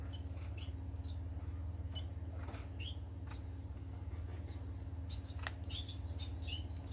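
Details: Society finches chattering on 25 March 2020: scattered bright, brief chirps, sometimes in quick pairs, with faint clicks and tapping, all above a persistent low hum.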